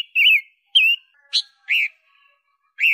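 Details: Loud little red-billed leiothrix used as a master song for tutoring pet birds: five separate whistled notes, wavering and slurred downward, with one sharp higher note in the middle and gaps of about half a second.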